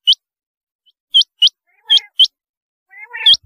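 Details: Rain quail giving single high, hooked notes at uneven intervals, joined near the end by a lower, buzzy chattering sound.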